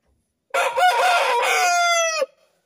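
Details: Rooster crowing before first light on a cool morning: one loud harmonic crow lasting nearly two seconds, rough at the start and then a long held note that ends abruptly, with quiet surroundings.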